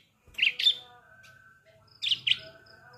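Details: A young Bar-winged Prinia just learning to sing gives two quick pairs of high, buzzy chirps about a second and a half apart, over faint tonal background hum; used as a lure to get adults singing.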